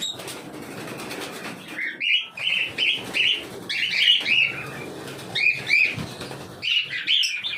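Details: Cockatiel calling: a series of short, harsh, chirping calls given in clusters of two or three with brief pauses between them, over a steady background hiss.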